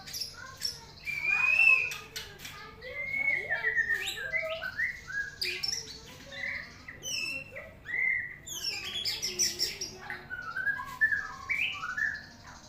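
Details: Morning song of a white-rumped shama: a varied, rambling stream of whistles, slurred notes and sharp clicks in irregular phrases, fairly faint, over a constant low hum.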